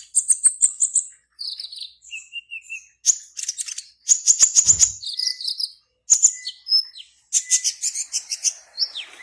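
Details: Singing-contest black-naped oriole from Serang, Banten, Indonesia, kept caged, delivering repeated bursts of piercing high chips and rattles separated by short pauses, mixed with brief whistled notes.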